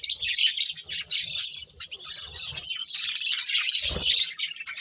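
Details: A group of colourful budgerigars chatters while eating, packed high chirps and trills pouring out continuously, with a short low thump near the four-second mark.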